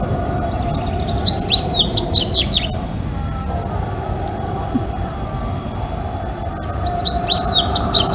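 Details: A single Dubois's seedeater in Brazil sings two quick bursts of high, twittering, slurred notes about five seconds apart, over a steady low rumble of background noise.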